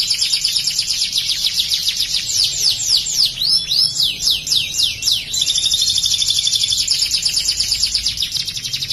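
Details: Canary singing a song loaded with Ciblek (bar-winged prinia) material: rapid high sweeping notes and fast trills repeated nearly two per second, sustained and insistent, with a faint low hum beneath.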